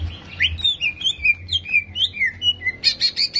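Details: Greater green leafbird song meant to stir rival birds' aggression: a quick run of clear, varied whistled notes sliding up and down, ending in a burst of sharp, scratchy chips, with a low background hum.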